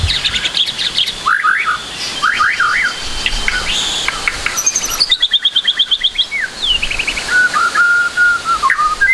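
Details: White-rumped shama singing as a training recording for a young speckled bird: varied whistled phrases and a high thin note, followed by a rapid repeated trill of crisp notes and a falling whistled ending.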